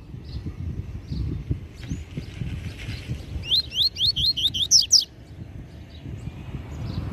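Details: Master double-collared seedeater singing the Tui Tui Zel Zel song style, meant for tutoring young birds: a quick run of about seven bright, upslurred whistled notes, with a low rumbling background hum.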